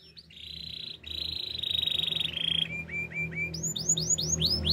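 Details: Canary song for training young canaries, in Spanish Timbrado style: long steady trilled rolls, then a run of short dropping notes and rising whistled swoops repeated about three times a second.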